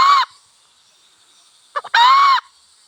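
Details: Wild hen and cock in village life: two loud, drawn-out, nasal notes arching downward, the second preceded by two short clucks, with a high steady hum behind.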